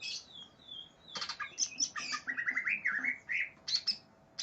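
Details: Greater green leafbird, aggressive and seeking a rival, mixes thin high whistles with harsh broadband bursts and then a quick string of rising and falling warbled notes, each lasting a fraction of a second.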